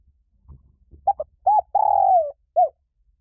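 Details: Spotted dove call played to excite decoy doves: a short broken coo, a rounded hoot, then a long sustained coo that falls in pitch, ending with a single separate coo, over a soft low rumble.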